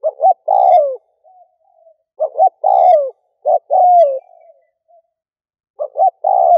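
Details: Spotted dove kept as a lure for wild doves, cooing loudly: paired short notes leading into a long coo that bends downward, repeated steadily, with faint soft trailing notes between phrases.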